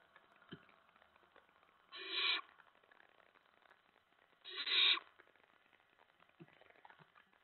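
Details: Owlets at the nest at night, 10 September 2017, as mice and a rat are delivered. Two loud, broad rasping hisses about 2.5 seconds apart, with faint taps around them.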